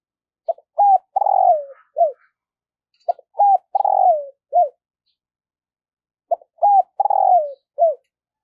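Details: Decoy spotted dove in daily voice training for luring wild doves, singing three similar phrases: short note, rising note, a long coo sliding downward, then a final short falling note. The phrases repeat a few seconds apart, with clean silence between.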